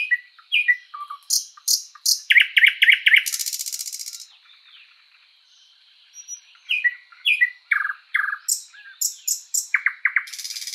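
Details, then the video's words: Thrush nightingale, or sprosser, singing in a spring forest: loud varied phrases of sharp upward-sweeping notes, a fast run of clicks, then a dense rapid rattle, a pause, and more staccato chirps and rattles. "Bird sounds Nightingale bird singing"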